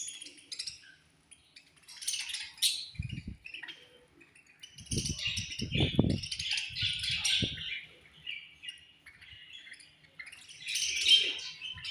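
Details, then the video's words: Budgies in a colony chirp during food time: bursts of high, busy twittering come and go, broken by brief quiet spells, with several dull low knocks around the middle. "Chirping Sounds In Budgies Colony"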